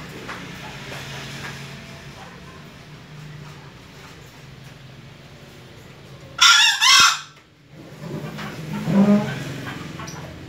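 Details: Young junglefowl crowing for the first time: one loud, harsh two-part crow of about half a second, followed a couple of seconds later by a fainter, lower rasping call over steady low background hum.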